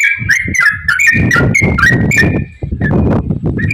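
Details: Yellow-vented bulbul song played to trigger other bulbuls to sing: bright warbled whistles tumbling up and down, partly masked by loud low-pitched rumbling noise throughout.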